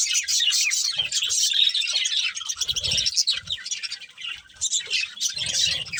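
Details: Eating budgerigars of a breeding pair give fast high chirps and scratchy chatter in bursts, with a quieter dip midway and low bumping sounds underneath.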